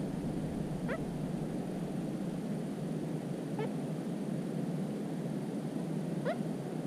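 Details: Little crake in cattails, recorded 13 July 2017, gives three brief rising calls, each a quick nasal upslur, roughly every two and a half to three seconds against a constant low hiss and hum.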